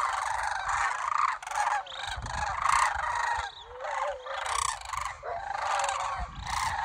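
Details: Cranes in Homer, Alaska, full of pre-migration energy in early September: a dense, continuous chorus of rattled, trumpeting calls from many birds, swelling and fading, with low rumbling background noise.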